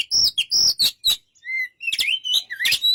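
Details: White-rumped shama giving loud rasping notes, a soft low whistle after a brief gap, then a sharp rising whistled phrase mixed with crisp clicks.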